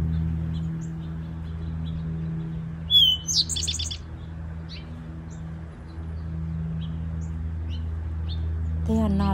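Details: Territorial song of an Eastern towhee in woodland: one clear descending note followed by a fast run of four to five trilled notes, heard once mid-clip, with faint chips and a low background hum.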